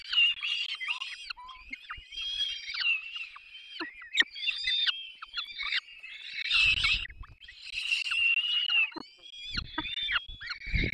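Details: Peregrine falcon chicks at the nest in Dolina Baryczy, Poland, on 3 May 2024, being fed by both parents: harsh, wheezy, upslurred squeals from several chicks, overlapping continuously, with low thumps from movement at the nest.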